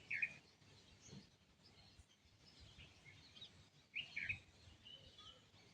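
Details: Birds at sunrise in the morning, two short, bright chirps about four seconds apart over a quiet, faint outdoor background.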